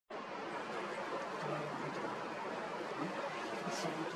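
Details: Steady broadband hiss with a faint murmur underneath and no distinct calls.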